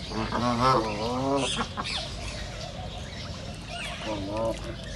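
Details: Ducks in a reserve give a run of nasal, wavering quacks lasting about a second, then fall quiet until a shorter quack near the end, over a steady background hiss of outdoor sound.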